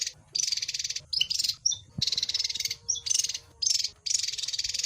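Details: Javan white-eye singing in bursts of dense, buzzy, high chattering trills about a second long, separated by short gaps and a few sharp whistled notes.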